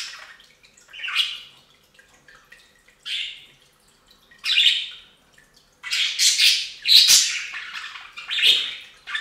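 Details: Budgerigars bathing at a fountain: separate harsh squawks spaced about two seconds apart, then a denser run of loud rasping calls mixed with splashy bursts near the end.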